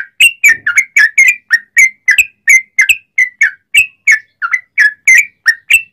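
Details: Sooty-headed bulbul singing persistently, used to make other bulbuls sing back: a rapid, even chain of bright, slurred whistles, roughly three per second, with clean surroundings.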